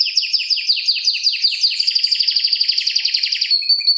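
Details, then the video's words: Canary song used as a tutor recording for training other canaries, a long rolling style: fast, tightly packed trills of high sweeping notes, each phrase repeated rapidly, shifting into a finer buzzy trill near the end. "Kenari Masteran Suara Gacor Ngeroll Panjang Untuk Pancingan Maupun Masteran"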